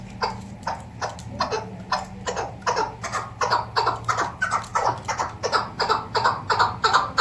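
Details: Female Kabuli chukar partridge kept for hunting, calling in a fast, insistent series of harsh clucking chuk notes, roughly three per second and growing louder, with a steady low hum behind.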